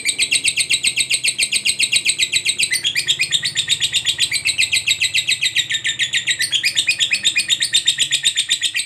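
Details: Fighter lovebird giving a long ngekek chatter, used to prompt silent lovebirds into singing: a rapid, unbroken stream of high, shrill, buzzy notes, about four per second, sustained throughout with slight shifts in pitch midway.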